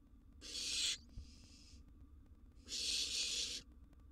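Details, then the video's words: Nest-box barn owl chick begging at mealtime with a large gerbil: two loud, noisy hissing screeches, each under a second, with a softer hiss trailing the first. "Owl Nestling's Mealtime"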